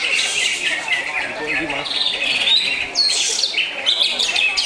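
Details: Greater green leafbird singing a rich, continuous stream of high chirps, trills and sharp whistled notes, with a brighter burst of notes past the midpoint and a faint low murmur underneath.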